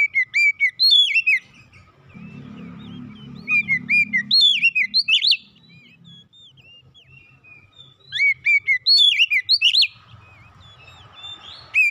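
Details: Magpie-robin singing, played to get a household magpie-robin singing too: three bursts of bright, varied whistled notes, each several seconds long, separated by quieter gaps with low background noise.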